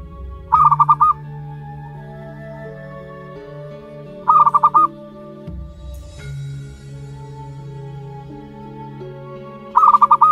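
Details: Month-old young zebra dove from local wild stock, uttering three brief rolling coo phrases of four or five pulses each, about four seconds apart, with sustained music playing underneath.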